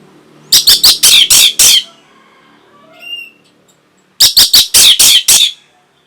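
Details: Orange-headed thrush, singing to stimulate breeding and response. Two loud runs of five or six harsh, rasping notes are separated by a soft thin whistle.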